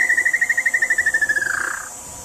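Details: Tataupa Tinamou song ending: a fast trill of some thirty clear whistled notes near one pitch, gradually dropping and quickening before fading into a soft falling tail.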